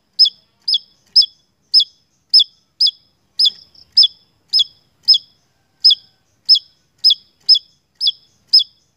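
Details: Lure song of a lively Javan tesia: rapid, explosive, high-pitched notes, nearly two per second, in a long steady series with only tiny gaps. Background silent.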